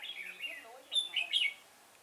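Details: Loud red-whiskered bulbul song from a trapping outing with a decoy at Chùa Hương, Vietnam, 5 March 2018: a quieter chattering phrase first, then three strong, clear, sliding whistled bursts close together before silence.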